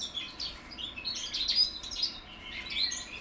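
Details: Young goldfinch mules bred in 2021, learning how to sing: a soft, rambling twitter of high chirps and short buzzy notes, fairly continuous through the short stretch, over a faint steady background hiss.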